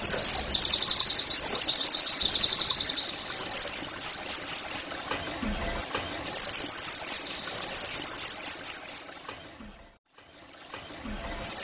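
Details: Pleci, the Oriental white-eye, singing 'nembak' style to prompt caged birds to sing: dense, rapid high chirping, then repeated slurred phrases with short breaks, fading to silence before a last faint note.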